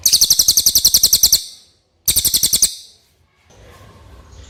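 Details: A clear common iora song recorded for training songbirds to copy. Two bursts of rapid, high, ringing notes, the first longer, are separated by a short silence, followed by faint background noise.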